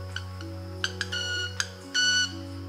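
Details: Club-winged Manakin displaying in Ecuador, giving sharp ticking clicks, then a sustained violin-like ringing tone made by rubbing interlocking wing-feather spines behind its back, twice, over a steady low hum.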